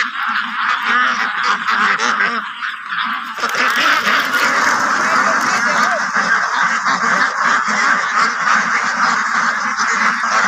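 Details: White Pekin ducks kept on a farm in West Bengal near Kolkata; many birds quacking at once in a loud, unbroken, raspy chorus, rising in intensity after a few seconds, with faint human voices.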